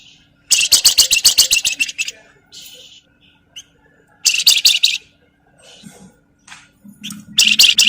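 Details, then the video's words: Javan fulvetta crecetan chatter, used to spur other birds to sing: a long volley of quick, piercing chips, softer scattered notes, a second sharp burst, then another beginning, with faint low murmurs between. "BURUNG FLAMBOYAN GACOR CRECETAN BUAT PANCINGAN"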